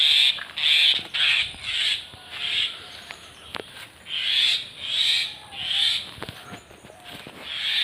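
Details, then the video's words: Common myna, known locally as shalike or xaliki: harsh, hissing squawks repeated roughly once a second in an uneven series, with faint background rustle. "Shalike Pakhi Myna Bird Moina Xaliki Sounds"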